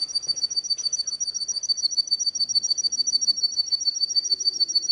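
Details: Canary producing a fast, highly regular trill of high, ringing notes, repeated at an even rate from start to finish over a quiet background.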